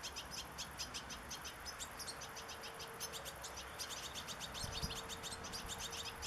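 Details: European goldfinch singing in nature: a steady stream of faint, high, twittering chirps across the whole stretch, against strong background hiss and a low steady hum.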